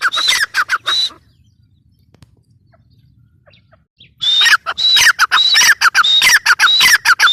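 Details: Teetar, the grey francolin, giving a brief run of shrill notes, then going quiet for about three seconds. It follows with a dense, loud stream of rapid, squawking repeated calls.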